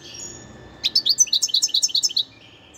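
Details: Wild goldfinch song from 2021: a quick sequence of about a dozen sharp, bright chirps, evenly spaced and pitched high, over faint background noise.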